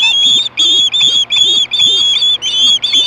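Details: Osprey at Hellgate in 2014, screaming for fish at 4:19 PM; a fast series of high, shrill whistled notes, about two per second, each slightly rising then level, with faint low wavering sounds underneath.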